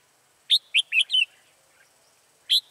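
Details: Red-whiskered bulbul in Vietnam on 14 October 2018, a decoy bird used to lure wild bulbuls into a trap: a quick cluster of four bright chirped notes, then a single matching chirp two seconds later, in an otherwise quiet setting.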